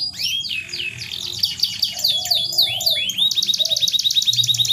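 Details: Canary song played to encourage mating in a reluctant canary: swooping whistled notes and sweeps, then a fast, regular rattling trill through the final second and a half.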